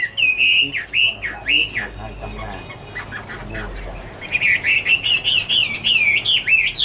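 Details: Chinese hwamei singing in a 2017 recording: slow looping whistled notes, a quieter gap, then a quicker phrase of rolling, repeated whistles rising in intensity.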